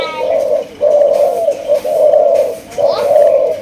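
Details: A three-month-old Malaysian spotted dove, raised by a breeder, gives a series of low, drawn-out coos, about four steady hollow notes with brief breaks, in a small indoor space.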